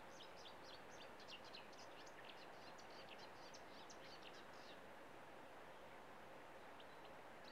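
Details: In reeds in Estonia, a marsh warbler sings a fast, high, chattering stream of varied notes for about four seconds, then a brief snatch more, over a steady low rumble of wind or traffic.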